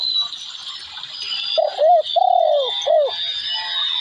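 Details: Spotted dove calling: a short run of three or four clear, hollow coos. The first is brief, then comes a longer drawn-out note and a final clipped one. A thin, steady high whistling runs behind throughout.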